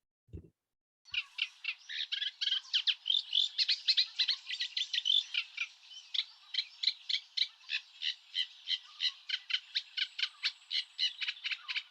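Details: Eurasian reed warbler, a small bird of European reed beds, giving its specific call: a long fast series of harsh chattering notes, about three per second, after a brief low thump at the start.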